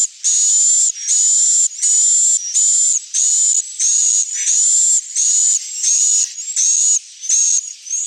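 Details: Swiftlet lure for dusk roosting: strident, high, buzzy chirps with a steady whistled overtone, pulsing regularly about every 0.7 seconds. Each burst ends with a soft descending tail.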